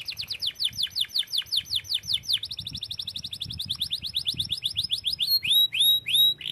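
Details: Lively canary song: a long series of loud downward-swept whistles, about three per second, shifting into a faster run of shorter sweeps, then several drawn-out clear notes rising and falling; soft low background noise.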